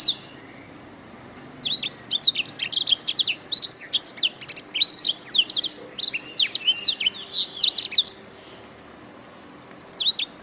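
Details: Canary master song for training: a long fast burst of bright, high twittering notes, chirps and short trills running for about six seconds, then a pause and a new phrase starting.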